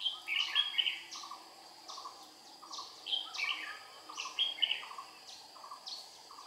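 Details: Decoy red-whiskered bulbul in Vietnam, 22 April 2019, singing during trapping to attract wild birds: rapid, closely spaced whistled and warbled phrases overlapping a continuous train of low buzzing insect pulses.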